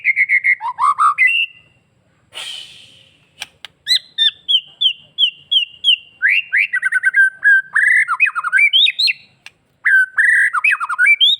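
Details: Bali-type white-rumped shama singing hard with a full repertoire, meant to provoke other shamas into replying: loud varied whistles, looping slurred phrases, a rasping burst, then fast repeated bright notes and twittering runs.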